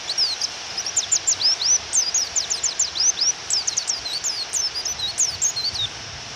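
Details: Female white-eye (pleci) calling to provoke a male into singing, during rain: a loud, nearly unbroken chatter of high, sharp, downslurred chirps for about six seconds, then only the steady rain hiss.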